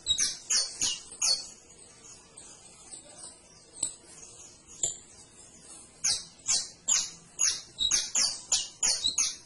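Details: Canary singing a loose series of short, bright, high chirps in bursts, spaced by brief pauses, quickening into a run of about eight notes near the end; faint background hiss.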